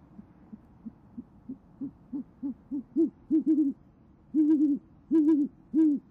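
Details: Great horned owl pair at a nest cam in Oklahoma City on a January 2014 evening, the female hooting to call the male, who answers: a run of low, soft hoots, short at first, then longer and louder, roughly one and a half per second.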